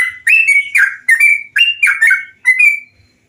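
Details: Bulbul song for training caged birds to sing: loud, clear, bubbling whistled phrases, each rising then falling, given in quick succession with brief gaps.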